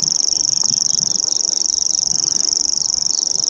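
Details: Common grasshopper warbler reeling non-stop at Bowesfield Marsh on 19 June 2017, recorded with a Nikon P900: a steady, very high, insect-like mechanical trill of rapid even pulses, unbroken throughout, with faint low background rumble.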